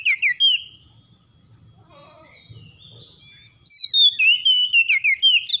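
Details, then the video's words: Oriental magpie-robin in morning song: the end of a whistled phrase, a short quiet gap with soft twittering, then a loud rapid series of clear, falling and rising whistles. "KACER PAGI PEMULIH KACER SETRES CEPAT GACOR"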